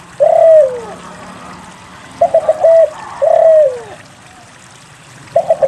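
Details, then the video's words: Spotted dove song used to prompt other doves to sing: short stuttering coos followed by a longer falling coo, phrases repeated every two to three seconds. "SUARA PANCINGAN DERKUKU GACOR UNTUK MALAS BUNYI"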